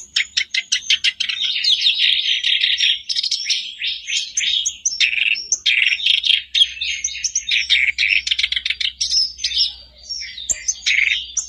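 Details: Black-browed reed warbler in sustained song, used as a daily prompt for a caged bird that has stopped singing: long, harsh, rattling chatter mixed with sharp clicks and squeaky notes, plus a low background hum.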